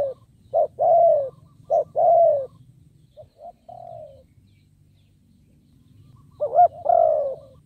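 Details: Caged decoy spotted dove cooing to draw in wild birds; several short-then-long descending coos, a quiet pause, then a louder wavering coo near the end over a faint low hum.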